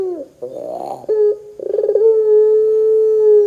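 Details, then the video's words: Lure recording of a puter pelung dove, used to make doves sing: a rough rising note, a brief flat tone, then a rapid run of stuttered pulses flowing into a long, even, low-pitched sustained coo. "PANCINGAN PUTER GACOR 100% JOSS TERBAIK 2024, PUTER BAHAN BAKALAN PASTI CEPAT NYAUT BUNYI !!!"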